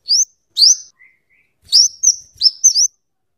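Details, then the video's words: Scarlet-headed flowerpecker singing for luring and tutoring: sharp, very high rising notes, singly and in quick pairs, with a faint soft lower whistle in between. "suara burung kemade atau cabe cabean gacor cocok untuk pikat dan Masteran"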